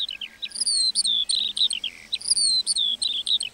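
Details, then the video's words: Lark singing in a meadow: a continuous high, rapid warble of twittering notes and short slurred whistles, with brief gaps between phrases. "Singing lark in the meadow"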